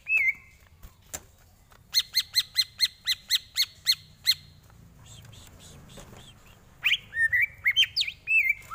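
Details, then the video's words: Greater green leafbird tutor song: an opening whistle, a steady series of crisp ticking notes, a quieter stretch, then a lively tumble of slurred, warbling whistles at the end. "Lagunya Masuk ini Bos, Enak buat masteran"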